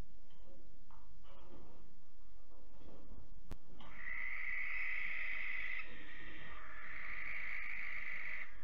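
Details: Barn owl young about 12 weeks old at Alphen, 8 August 2019 at 23:33, being chased off as the parents reclaim the nest box. Soft rustling gives way to long, harsh, hissing screeches lasting about two seconds each, over a low rumble.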